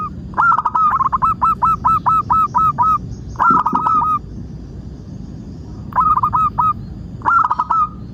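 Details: Zebra dove (local perkutut) lure song for making birds sing: a long run of about a dozen rhythmic rolling coos, then shorter phrases of rapid notes ending in a sustained tone, against faint low rumble.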